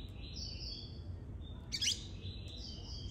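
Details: Young, moulting Bahian double-collared seedeaters (coleiro/papa-capim pardo), set out in the sun after bathing late in the day, give thin, high whistled notes, held and gently sliding, with one brief buzzy burst midway, over a steady low rumble.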